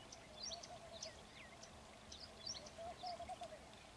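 Pied bush chat giving thin, high chirps and short falling whistles in quick bursts, over a lower warbling note from another bird and steady outdoor background noise.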